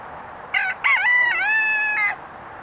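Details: Rooster at a farm park crowing once: a short opening note, then a long, strained, harmonic cock-a-doodle-doo held steady for over a second before breaking off, over faint background hiss.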